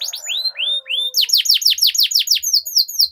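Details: Canary lure song with long rolling phrases: a few rising whistled slurs give way to a fast series of sharp, high downward-sweeping notes repeated about three times a second.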